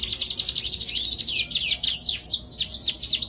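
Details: Canary in full song, the Indonesian 'gacor' style with elaborate 'cengkok mewah' phrasing: rapid high trills of repeated downward-sweeping notes, first fast and dense, then slowing into separate descending whistles about five per second, with no other sounds.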